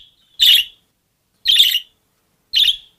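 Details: A captive budgerigar gives three loud, raspy chirps at a steady pace of about one per second. Nothing else is heard between the calls.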